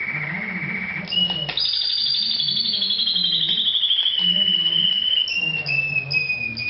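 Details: Canary song heard as a man talks about birds while shelling broad beans: long pure whistled notes sliding slowly downward, broken by brief chirps, over steady male conversation.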